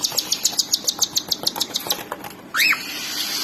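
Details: Cockatiel chicks begging while their mother feeds them: a fast train of high, short chirps about three per second, then one louder rising-and-falling squawk near the end over faint background hiss.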